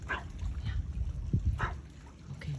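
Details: Pelican, male, after sunrise alongside an egret and another pelican, uses mouth breathing to communicate: soft, breathy huffs, four in under three seconds, each a short airy puff, over a steady low rumble of wind or water.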